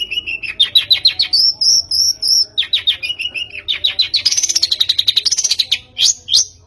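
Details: Long-tailed shrike song played as a lure to make a bird sing: buzzy rapid trills shifting in pitch, a held high whistled phrase, then a fast harsh chatter.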